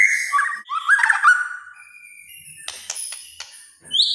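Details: White-rumped shama in kretekan style, said to agitate other shamas: a rich burst of slurred whistles lasting over a second, then sparse faint high chips and a final rising note.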